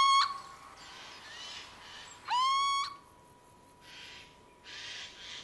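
A little owl gives two plaintive, upward-sliding whistled calls, the second longer and more drawn out, with soft rustling noise between them.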